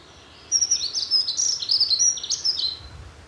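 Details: Dunnock (Prunella modularis) song: a hurried, tinkling phrase of thin squeaky notes lasting about two seconds, jumping up and down in a high register over a faint low rumble.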